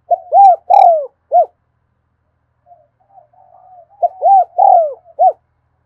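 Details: Continuous 'thúc gù' cooing by a spotted dove, recorded in the afternoon: two phrases of arched notes, each with one long falling coo and a short closing note, separated by a soft muttered pause.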